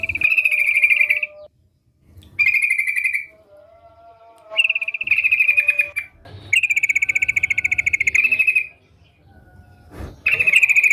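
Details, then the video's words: Sooty-headed bulbul singing actively: loud, buzzy, rattling bursts of about one to two seconds each, separated by short pauses, with a few lower whistled notes between them. "Burung Trucukan Gacor"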